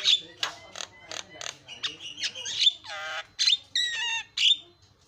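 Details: Varied Javan myna song meant to provoke other mynas: short scratchy chips followed by drawn-out, buzzy, nasal notes with falling and wavering tones, plus sharp whistled accents.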